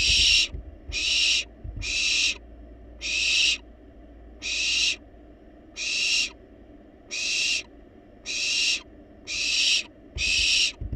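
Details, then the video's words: Wild barn owl babies in a monitored nest box keep demanding food despite being well fed: eleven-second run of rasping, breathy hiss calls, each about half a second, pulsing roughly once a second, occasional low bumps. "Barn Owls Baby Playfully Demand Food Despite Being Well-Fed!"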